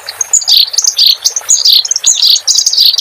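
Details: Clamorous reed warbler song from a master recording for cage birds: dense, harsh, high chatter of overlapping notes in quick bursts.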